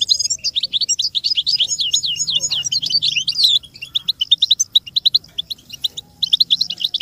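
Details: Training recording of American goldfinch song meant to teach young birds: a dense stream of sweet, high twitters and slurred whistles for about three seconds, followed by sharper separated chirps.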